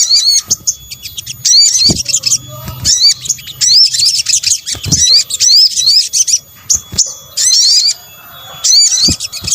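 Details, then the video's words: Sunbird, locally sogok ontong, luring calls: dense high chattering phrases with upswept whistled notes, repeated in bursts with short pauses. "PANCINGAN SOGON BUNYI AMPUH | kombinasi suara sogok ontong"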